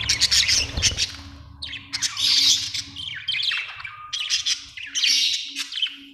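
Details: Budgerigar chirping in bright chattering bursts of scratchy, squeaky notes with short pauses between phrases, with a faint low hum underneath.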